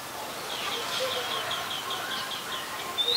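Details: Oriental magpie-robin, a very common resident, recorded in Ubon Ratchathani, Thailand, on 7 January 2021 with a Nikon P1000: a fast run of short, soft chirping notes, followed by a brief, clear, high whistle at the end.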